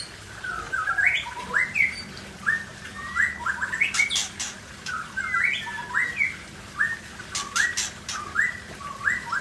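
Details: Forest white-rumped shama from Cot Goh, Bireuen in Aceh, giving mellow whistled phrases that step upward in short rising notes, repeated in groups, with clicking noises in the background.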